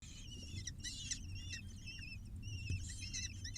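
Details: Six falcon chicks being fed, seen on a live bird cam: thin, high, wavering cheeps in overlapping bursts, several voices at once, over a steady low rumble of background noise.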